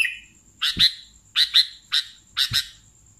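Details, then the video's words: Sooty-headed bulbul singing vigorously: doubled harsh chirps repeated about every half second, after a brief opening whistle, over a constant faint high whine. "BURUNG KUTILANG GACOR"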